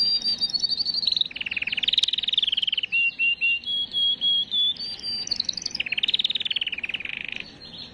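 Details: Canary song used to stimulate females: continuous varied phrases of rapid trills, a run of evenly spaced buzzy pulses, clear whistles and another fast rolling trill, all high-pitched.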